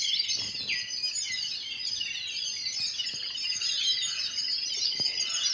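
Sparrows chirping in a dense, continuous chorus of short, high, overlapping chirps with no pause. Nothing else stands out.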